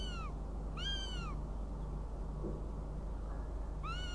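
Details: Northern goshawk recorded in Riga on 29 June 2016, giving three drawn-out, arching wails, two close together and one after a pause, with a steady low hum behind.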